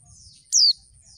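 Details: Female oriental white-eye giving a call meant to provoke lazy males into answering and singing: a single thin, very high whistle sliding quickly downward, lasting a fraction of a second, over quiet background.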